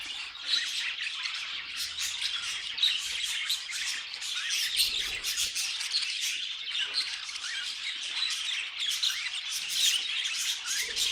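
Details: A flock of pet budgies keeps up a steady, chattering warble full of rapid clicks, chirps and scratchy squawks, staying busy from start to finish.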